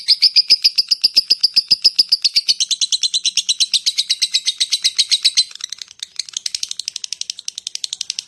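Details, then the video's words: Lovebird giving its rapid ngetik chatter: a fast run of sharp, high clicking chirps, nearly four per second, loud at first, then dropping softer and slightly quicker after about five seconds. "Suara Burung Lovebird Ngetik"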